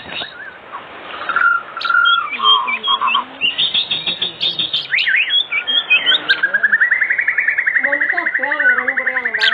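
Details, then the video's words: White-rumped shama in lively afternoon song, a lure to get other shamas singing: steady whistled notes, sharp chirps, then a long fast rattling trill of evenly repeated notes. "Pancingan Sore Murai Batu Gacor"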